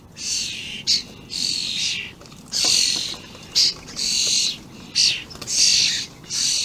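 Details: Juvenile and adult common starlings, very vocal, 28 May 2016: about nine grating rasps, long drawn screeches alternating with short clipped ones.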